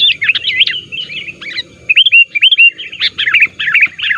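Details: Sooty-headed bulbul used to lure wild bulbuls, calling actively to press rivals: jumbled chirps give way to a series of clear upslurred whistled notes, then more rapid bubbling chirps.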